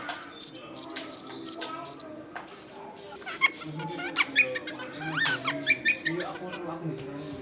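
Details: Long-tailed shrike lure song for wild shrikes: a series of evenly repeated high clipped whistles, a long piercing whistle, then scattered scratchy notes and squeaks over low background noise.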